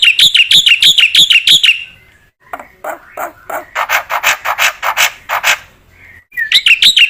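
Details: Black-winged myna in lively song, used to train other mynas: quick ringing repeated notes, then a stretch of harsher, rasping, chattering bursts, and the bright repeated phrase returns at the end.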